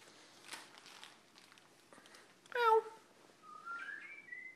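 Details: A pet lilac-crowned amazon, imitating a cat, gives a short, falling, cat-like meow, then a rising whistle that levels off, over indoor room noise.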